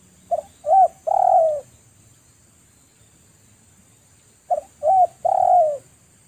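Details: Wild spotted dove cooing ('manggung') during a dove-luring session. Two matching phrases, about four seconds apart: each is a brief low note, a second short coo, then a longer falling coo. A faint steady hiss is heard underneath.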